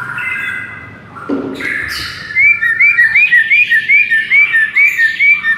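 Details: White-rumped shama singing, used as a training recording to provoke a sluggish shama: a muffled opening, then a rhythmic run of about a dozen clear upslurred whistles, each repeated quickly in a steady, insistent series.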